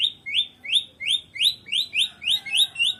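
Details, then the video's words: White-rumped shama, Medan type, without a rival, giving about nine bright rising whistled notes in three seconds, repeated in a steady, insistent series. "KICAUAN BURUNG MURAI BATU MEDAN TANPA LAWAN"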